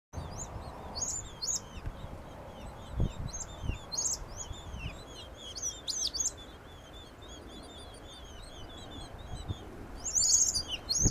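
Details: New Holland honeyeaters in Kamay Botany Bay National Park: scattered high, sharp chirps and squeaky notes in short bursts, louder near the end, over steady low outdoor background noise with a few soft thumps.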